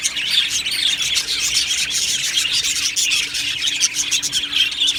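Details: Budgie colony in an aviary, 1 July 2025, with many birds chattering at once: busy, warbling high chirps and short whistled notes layered into constant flock noise.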